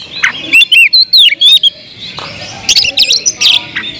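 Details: Oriental magpie-robin in loud, provoking song: a quick series of clear rising and falling whistles, then a jumbled flurry of sharp, scratchy chirps.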